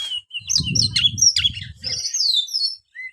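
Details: Oriental magpie-robin song meant to prompt a reluctant kept bird to sing: bright whistled notes and chirps high in pitch, with a low rumbling noise underneath during the first two seconds.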